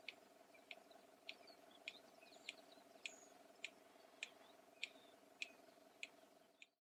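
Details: Red-crested Bustard in southern Africa making beak-slammed clicks: a sharp, dry click roughly every 0.6 seconds, about eleven in a steady series, over a constant low hum in the background.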